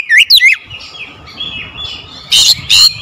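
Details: Oriental magpie-robin (kacer) song used as a lure to make reluctant magpie-robins sing: two quick looping whistled notes, a quiet pause, then two loud, harsh, buzzy bursts.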